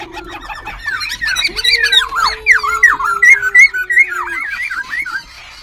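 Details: White-browed laughingthrush kept caged in Bình Chánh, Ho Chi Minh City, singing and dancing with continuous voice changes; loud swooping whistled notes and scratchy chatter in quick succession, a low steady hum underneath for a few seconds.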